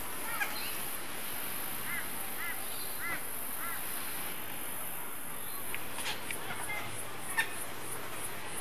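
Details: Female Australasian figbird at Amity Point, North Stradbroke Island, Queensland, Australia, 17 December 2012, gives soft, arched chirping notes, about four in two seconds, over steady high insect hiss and faint background noise.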